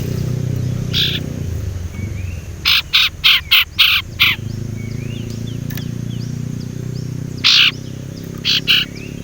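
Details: Young male Sumatran leafbird practising whistling, still raw, kept as a lure. Scattered scratchy notes, then a rapid burst of six buzzy chirps, with more later over low rumbling background noise and faint chirps.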